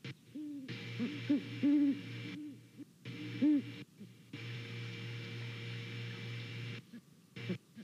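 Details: A pair of great horned owls checking out a nest in Savannah on the morning of 28 November 2019 trade deep, soft hoots in short stuttering series, one bird slightly higher, over a steady electrical hum.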